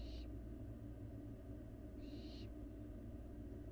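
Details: Nest-box barn owl fledgling at mealtime on a Florida camera: two short, fainter hissing bursts, the second about two seconds after the first, over a loud constant low-pitched hum.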